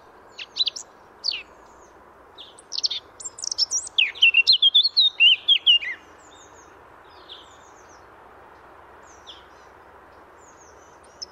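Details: Free Eurasian blackcap gives scattered sharp call notes, then a short burst of loud, quick whistled song phrases, followed by quieter scattered notes against a faint rushing background.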